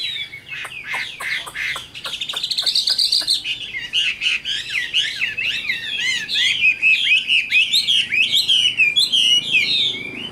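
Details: Tam Hoàng hwamei, wild-caught adult kept caged in Vietnam: a quickening series of sharp ticking notes leads into a dense, jumbled warble of fast rising and falling whistles.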